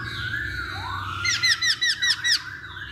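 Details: Masked laughingthrush lure song played to provoke other birds to sing: a soft upslurred whistle, then a quick run of five loud, clipped, bright notes, each sharply bent, over a low steady hum.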